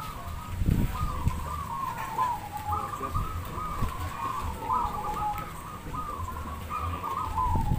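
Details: Zebra doves (perkutut) at a singing contest in Demak, Semarang: several birds overlap in a steady chorus of quick, rolling coos held on one mid pitch, over a low rumbling background with occasional thumps.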